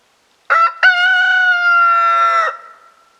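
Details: Newly acquired rooster crowing after preening, recorded on March 24, 2026 with snow on the ground after days of snowfall: two brief clipped notes then a long, steady, harmonically rich held crow of about two seconds fading out.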